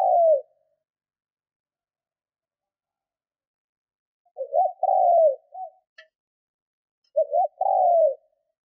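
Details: Spotted dove kept as a decoy, trained to coo and stir up wild doves; a trailing coo, then two full phrases of short doubled notes leading into a long, slightly falling mellow coo, with a faint click between; otherwise quiet.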